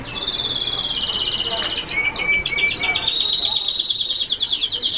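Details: Hooded siskin, an F1 bird, delivers a high twittering song: a long buzzy trill overlaid with a thin rising whistle, then quick chains of sharp repeated chips.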